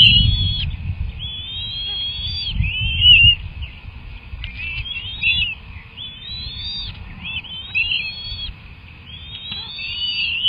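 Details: Two young bald eagles, one hatched 31 January 2024, calling at their nest during a feeding session on 18 March: thin whistled, wavering chirps, rising then falling, repeated in rough series every few seconds, with low rustling and wind below.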